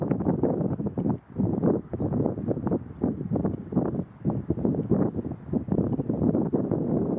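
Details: Steady low rumbling wind or engine-like noise fills the recording with gusty surges and no animal call.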